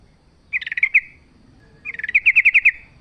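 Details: Sooty-headed bulbul recorded in the wild: two quick bursts of repeated chirpy notes, the second longer with about ten notes building in strength, over a quiet background.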